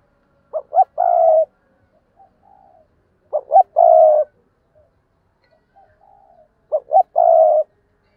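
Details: Spotted dove used as a decoy, cooing persistently: three regular phrases, each two short notes and a long steady coo, spaced roughly three seconds apart, with soft low murmured notes in between.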